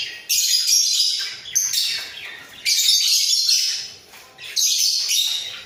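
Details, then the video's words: A pair of budgerigars in a breeding cage, chattering busily while bobbing their heads: scratchy, bright warbling bursts of about a second or more, separated by short pauses. "Sepasang Burung Parkit Gacor"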